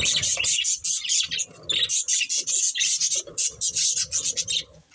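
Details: Breeding pair of budgerigars chirping in rapid, evenly pulsed bursts of harsh high chatter, with a low hum beneath, fading at the very end.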